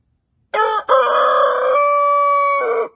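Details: A huge Brahma rooster crowing in the morning gives one full crow: a short opening note, a rough rising middle, then a long clear held tone that drops into a hoarse ending.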